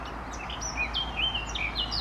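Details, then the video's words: Brief fragment of blackcap song: quick, sweet whistled notes with sliding pitch, delivered in a tight jumble. "Śpiew kapturki"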